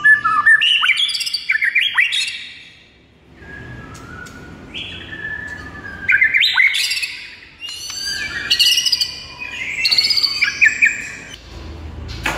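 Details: White-rumped shama in full morning masteran song, rich and varied, mixing harsh squawky notes, rapid chirps and high whistles in dense bursts separated by a brief quiet spell.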